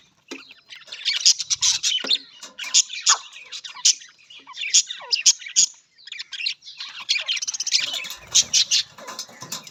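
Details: Chattering budgerigars deliver rapid runs of sharp high chirps and buzzy squeaks, pausing briefly midway.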